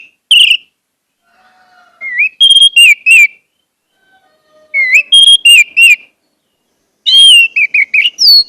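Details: Song of an Orange-headed thrush, played to get caged birds singing. Loud, pure whistled phrases with swooping notes come in three clusters, with soft low tones between them.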